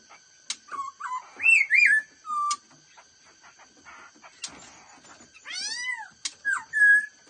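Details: Fast-delivered 'mau mỏ' style song of a black-throated laughingthrush: bright looping whistles and wavering slurred notes, a few sharp clicks, then a swooping rising-and-falling glide and a final drawn-out whistle, with background otherwise quiet.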